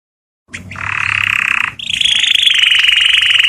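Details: Canary singing to stir females into mating: a dense buzzy trill begins, breaks briefly, then resumes as a higher, rapidly pulsed roll held steadily to the end.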